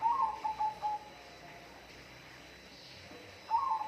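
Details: Bird giving short whistled notes in a quick broken phrase, a pause, then the phrase again.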